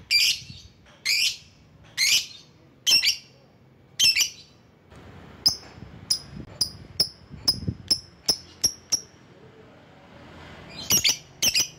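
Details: Lovebird lure calls to draw rivals: five rasping high shrieks, then a fast run of about ten clipped, tinny ticks, closing with two more harsh shrieks.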